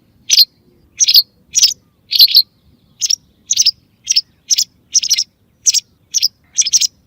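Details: Call of the white wagtail, used to attract birds in hunting: a long run of brisk, high, two-part chirps given roughly twice per second, clean and unaccompanied.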